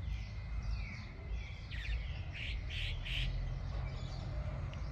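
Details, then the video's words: A church swallow sings in front of an old mansion, apparently calling its companions, with a quick run of bright, chattering chirps over a steady low rumble of wind or distant traffic. "Andorinha de Igreja Cantando"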